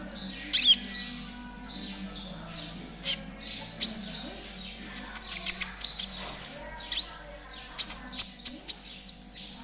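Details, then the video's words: Spotted konin, 'trotol' form, recorded as a master song for training caged birds; varied high whistles, squeaks and sharp chirps, sparse early on and then quickening into rapid, clustered notes toward the end. "TERAPI KONIN TROTOL AGAR CEPAT BUNYI || MASTERAN KONIN TROTOL GACOR"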